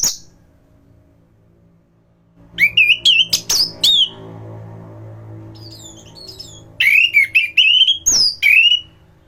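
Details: A thrush (anis) in top form, its song a training master for other thrushes: a high note, a pause, then bright, sweeping whistled phrases over a faint low hum, ending in rising and falling slurs.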